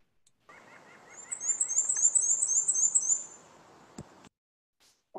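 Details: Black-and-white Warbler song, likened to a squeaky dog toy: a very high, thin series of about ten squeaky two-part notes, quick and even, over a soft hiss.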